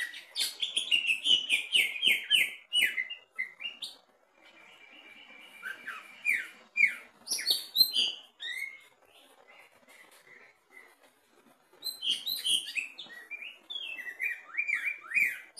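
A greater green leafbird sings loud, rich bursts of varied whistles, chatters and rapid trills in long phrases, with brief quieter pauses between outpourings.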